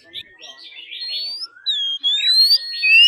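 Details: Oriental magpie-robin, caged bird in daily song training, forest-style song: long pure whistled notes held around one pitch, slurred rising phrases and short twittering bursts, quieter at the start.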